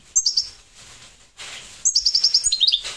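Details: Goldfinch of the parva race giving a brief twittering burst, a pause with soft noise, then a rapid run of high chirping notes.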